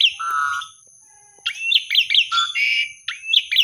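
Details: Lure song of an Asian pied starling for birds that have stopped singing: a low steady whistle, a pause, then a run of sharp upslurred whistles mixed with buzzy notes, over a faint constant high tone.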